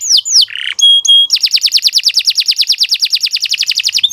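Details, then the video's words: Vigorous canary song used as a tutor for young birds: a few slurred whistles and a short rasp, two pure sustained notes, then a long, even, fast-pulsed trill. "Kicau Burung Kenari II GACOR PANJANG"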